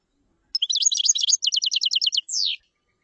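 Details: Clear common chaffinch phrase: scratchy high opening notes, then a measured series of about ten repeated falling notes and a final downward-swept flourish, in a silent background.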